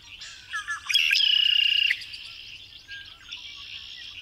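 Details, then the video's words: A red-winged blackbird gives a few short gurgling notes, then a harsh, buzzy trill lasting about a second, followed by fainter trailing buzzes. "صوت طير احمر الجناحين"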